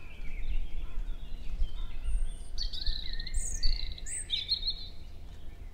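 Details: Male European robin in early-May morning song in forest at Hoher Peißenberg, Germany, with a female close by trading contact calls; varied thin, high warbling notes and short trills tumble together against constant low-frequency hum.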